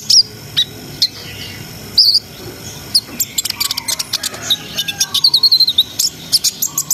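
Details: Brown-throated sunbird in full 'ngriwik ngerol sambung nembak' song, meant to stir breeding arousal in young birds; a few isolated high squeaks, then a dense run of rapid, sharp, very high chirps that speeds up toward the end.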